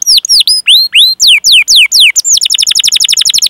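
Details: Vigorous canary song, a long chirping roll meant to prompt other canaries to sing: a run of loud downward-swept whistled notes about four per second, then a fast buzzy rolling trill.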